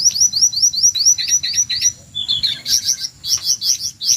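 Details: Jongkangan screeching on a shama training track: fast series of high rising notes, then harsher doubled chips and loud sharp bursts.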